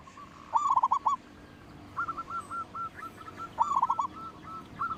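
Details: Local zebra dove with a loud voice, used to entice other birds to sing, utters two rapid rippling coo phrases, each followed by a few drawn, evenly spaced coos.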